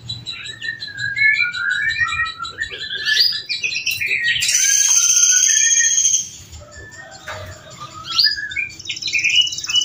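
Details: Home-bred adult male canary in vigorous song, used as a master recording for training. Fast chattering trills and warbled phrases, then a loud sustained buzzy stretch of about two seconds, before brighter twittering resumes.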